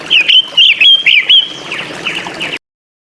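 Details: Drongo in lively, varied full song: a run of clear whistled notes near one pitch, each with short rising and falling inflections, repeated about twice a second, softer trailing phrases toward the end before cutting off.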